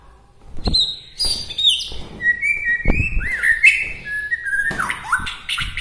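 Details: White-rumped shama, local native bird from Bahorok, whose song is said to rouse other shamas: varied warbled phrases mixing high chirps with long, clear downslurred whistles, interrupted by sharp clicks.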